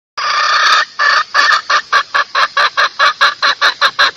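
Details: Female red junglefowl lure call, played to draw males close; one long harsh note opens, then about fourteen short clucking bursts follow at a steady, slightly quickening pace, with no other sounds.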